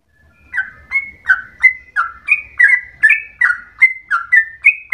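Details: Yellow-vented bulbul, locally trucukan, giving vigorous long rolling song reminiscent of the straw-headed bulbul; after a short silence, evenly spaced slurred whistles alternate between rising high and falling low notes, faint low rumble underneath.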